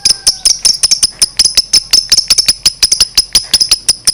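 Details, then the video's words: Continuous lovebird ngekek, long chatter aimed at provoking other lovebirds: rapid, steady, piercing high chirps nearly three per second with no pause throughout. "Suara Burung Lovebird Ngekek Panjang JAGO MEMANCING EMOSI, Lovebird Susah Bunyi LANGSUNG NYAUT"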